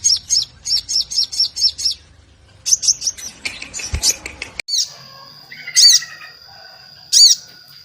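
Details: Lure song of a sogon, played to stir young, speckled and silent birds into singing: rapid high chip series, then a scratchy burst and a thin sustained high whistle punctuated by sharp piercing notes.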